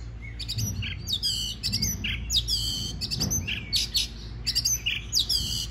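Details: Oriental magpie-robin singing to stimulate other birds to sing: quick series of bright, high whistled and chirping notes in short varied phrases, repeated steadily, over a low background hum.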